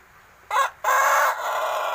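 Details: Pelung rooster, a youngster of roughly six months just learning to crow, gives a short harsh opening note, a brief pause, then a longer raspy drawn-out crow that carries on to the end.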